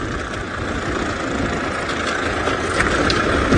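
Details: Loud, rumbling engine noise from a safari vehicle on an early morning drive, steady and broadband, with no animal calls.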